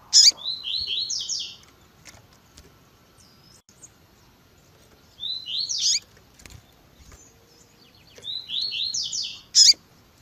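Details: Double-collared seedeater, tui tui zel zel style, with female chirping calls: three buzzy phrases of descending slurred notes, each capped by a sharp high chip, separated by quiet gaps.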